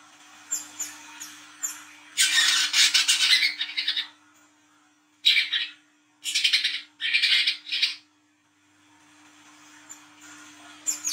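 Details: Olive-backed sunbird singing at night, a lure recording: thin high chips, then long harsh buzzy chattering phrases in several bursts, ending with faint high notes, over light hiss and a steady low hum.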